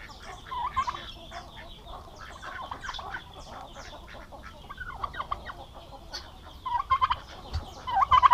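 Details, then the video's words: Domestic turkey males, aggressive together, on a farm in Paraná, Brazil: brief gobbles near the start, then steady clicking and tapping noises, ending with a run of louder rolled gobbles. "PERU MACHO JUNTOS DA BRIGA"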